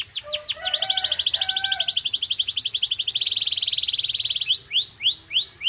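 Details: Canary in full-power song, meant to encourage other canaries to sing: quick falling whistles lead into rapid trills over faint lower tones, then a steady buzzy trill and rising upslurred notes repeated at the end.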